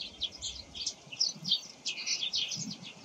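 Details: Eurasian tree sparrows in the morning, giving dense, scratchy high chirps that run together in quick bursts, with a faint low rumble in the background.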